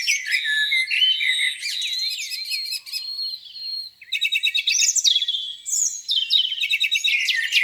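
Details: Lakeside chorus on a spring morning: varied warbled phrases and slurred whistles, a brief lull near the middle, then rapid pulsed trills and high notes.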